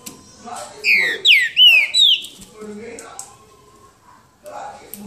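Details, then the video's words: Boca mole song of a green-winged saltator in a singing duel, João Monlevade: four rich whistled notes, swooping and falling, delivered in a quick phrase of about a second, followed by soft background murmurs and clicks. "Trinca ferro boca mole disputa? com João Monlevade"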